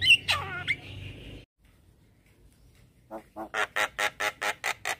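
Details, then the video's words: Morning prompting sound of a Javan myna meant to coax a silent bird into song: a screechy, wavering squawk, a pause, then a regular series of loud harsh chak notes. "Suara Jalak Kebo"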